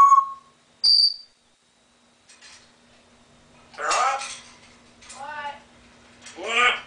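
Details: Pet African grey parrot indoors, mimicking laughter and duck quacking: two short clear whistles open, then after a pause three raspy, harmonic laugh-like bursts with falling inflections, each roughly a second apart, over a faint steady low hum.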